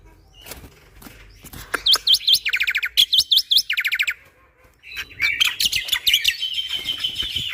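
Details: Very active black-winged myna (jalak putih) in a tutor recording: sharp checkmark-shaped whistles alternating with quick buzzy trills, a brief lull, then loud continuous harsh chattering.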